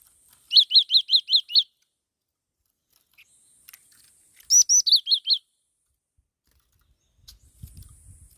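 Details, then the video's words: Black-throated laughingthrush repeating a rapid series of six high, peaked chirps, a pause with faint clicks, a second burst opening with thin upswept notes, then low rustling. "Tiếng chim chi chi mào mồi hót"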